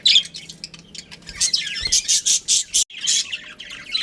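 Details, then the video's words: Captive budgerigar colony with a breeding pair, kept as pets: dense high chirps and warbling chatter throughout, with a run of harsh, buzzy squawk bursts repeated about five times a second midway, then a brief pause and more chirping. "Adorable Budgies Chirping Sounds"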